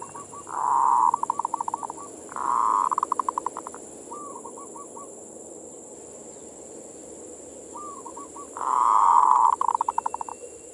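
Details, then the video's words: Local zebra dove (perkutut) manggung song, played as bait to stir other doves' passion; loud bursts of rapid low coos ending in stuttered clicks, repeated three times, with fainter echoing phrases between and a steady high hiss. "suara perkutut pancingan birahi"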